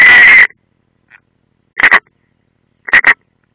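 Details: European rollers at their nest in Latvia's Ādaži military range, 30 June 2016: one long grating rasp, a faint note, then two separate double croaks.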